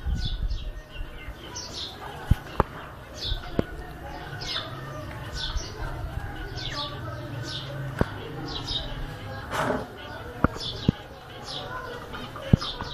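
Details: Zebra finch calls: short, high, downward-slurred chirps repeated steadily, several overlapping, with occasional sharp clicks and a soft low rumble underneath.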